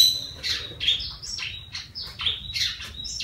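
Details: Yellow-vented bulbul taken from the wild and kept a month, now vocal: sharp, high whistled notes and quick slurred sweeps, given in short bursts about once a second.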